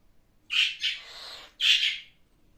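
A cockatiel gives two harsh, screechy squawks about a second apart.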